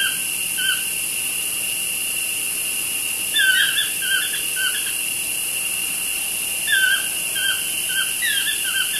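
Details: Two toucans chat outside a studio window, giving two bursts of three or four sharp, falling yelps a few seconds apart; steady shrill insects continue underneath.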